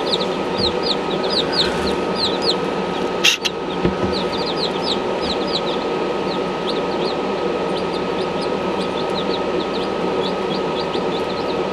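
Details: Buff Orpington chicks peeping continuously, many short high downslurred cheeps overlapping throughout, over a loud steady mechanical hum with a brief knock partway through.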